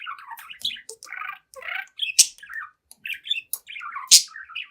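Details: Young budgerigar, seven months old, singing and talking to its mirror indoors: continuous warbled chatter of buzzy, wavering notes with sharp loud clicks or squeaks punctuating it about every two seconds.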